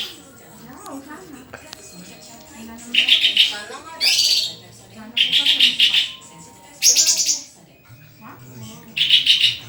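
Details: Spaced bursts of white-rumped shama song, each a quick rattling trill or harsh high rasp roughly every second or two, with long quieter stretches of low murmuring background between them.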